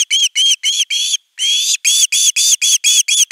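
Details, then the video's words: Osprey pleading for fish at nest 3 on 10 August 2021: rapid shrill whistled yelps about four per second, broken by a brief pause and one longer drawn-out note, then the series resumes. "Myy huutaa pitkään kalaa"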